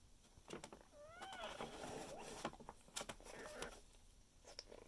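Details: Parrot nestled in a paper bag on Hilton Head Island, South Carolina, giving joyful sounds: one bent, rising-falling squawk near the start, then steady paper crackling and scratching with a few sharp clicks.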